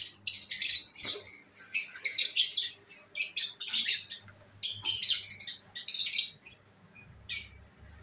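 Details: Pet lovebirds with albino red-eyed colouring, calling at home; busy runs of piercing, scratchy high chirps in quick clusters, fading to a single late squeak, over a quiet mains hum.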